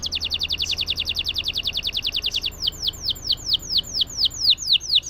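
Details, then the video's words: Canary rolling song used to prompt silent canaries: a rapid even trill for over two seconds, shifting into slower downslurred whistled notes repeated about three per second. "Burung Kenari Gacor Ngerol Panjang Untuk Pancingan Kenari Macet"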